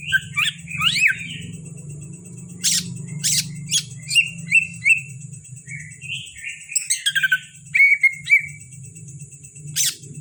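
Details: Greater green leafbird from Kalimantan, a caged songbird, singing varied whistled phrases: sharp upslurred notes, short level whistles and bright chip-like bursts, with a low hum underneath and a steady high tone throughout.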